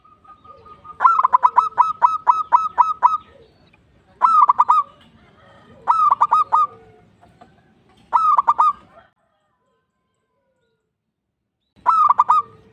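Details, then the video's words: Local zebra dove in full, steady song, used as a lure to prompt other birds to sing: rapid bursts of low, hollow cooing notes in quick even runs, several phrases separated by short pauses and a longer gap before the last. "Manggung Bekur maXimal Perkutut Lokal Gacor"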